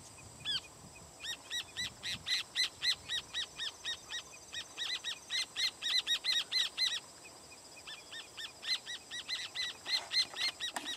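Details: Rufous horneros (Furnarius rufus) perched on a firewood-gatherer's nest give loud, rapid alarm calls: strident repeated notes, about four per second, in excited bursts over a steady high hiss, with some displacement behaviour.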